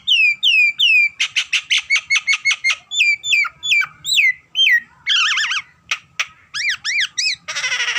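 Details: Nias hill myna in vigorous song: downslurred whistles, then rapid clicking notes, hooked whistles and wavering chattering phrases, ending in a buzzy rasp.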